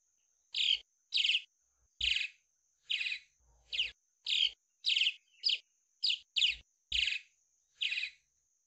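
A swallow gives short, high twittering chirps, about a dozen in eight seconds, a steady faint hiss behind them.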